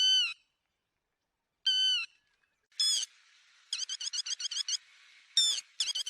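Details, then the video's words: Yellow-wattled lapwing call used as a net-trapping lure: loud, harmonic nasal notes, then a rapid series of short sharp notes, with further loud notes near the end. "Tiếng chim te te mỏ vàng cực nhậy .đánh lưới chuẩn nhất"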